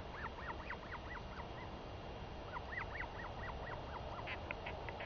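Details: Female northern royal albatross chick calling eagerly to her returning mother for a feeding, 23 May 2021; dense runs of rapid, squeaky, arching chirps in two long bursts, with steady wind-like noise underneath.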